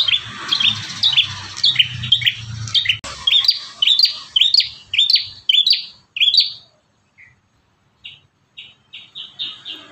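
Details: Bar-winged Prinia (Prinia familiaris) sings rapid, bright chirping phrases of sharp rising notes, about two per second, with a brief pause before softer repeated notes; faint low rumble underneath.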